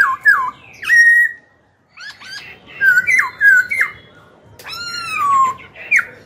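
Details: A young pet Black-throated laughingthrush sings to rouse captured rivals and train young birds' voices, giving varied loud whistled phrases of hooked, slurred notes in several bursts, with a short silent gap near the start.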